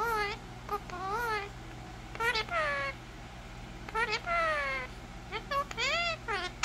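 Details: Indian ringneck parakeet pet producing speech-like talk: repeated nasal, bending syllables in short phrases with brief gaps and occasional clicks, steady low room hum behind.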